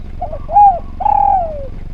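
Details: Lively spotted dove song used as training material for other doves: a brief low note, an arched coo, then a long, level hollow coo that sinks away at its end, over faint low humming.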